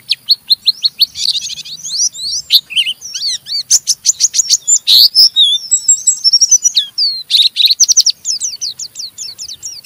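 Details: Oriental white-eye in rough, energetic ngeriwik chattering, used to prompt other white-eyes into singing: dense bursts of sharp, high, buzzy chips and rapid trills, loud and nearly continuous across ten seconds, with brief gaps.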